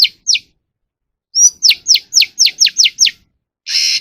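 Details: Oriental magpie-robin (Copsychus saularis) song, apparently a bird in vocal training: two high, sharply falling whistled notes, then a rapid series of eight more, ending in a harsh buzzy note.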